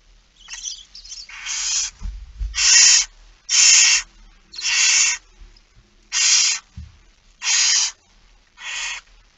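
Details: Barn owl begging heard during a feeding at 06:57 on 13 September 2019: a faint start, then seven drawn-out hissing rasps in steady succession, with low thumps and scuffles underneath.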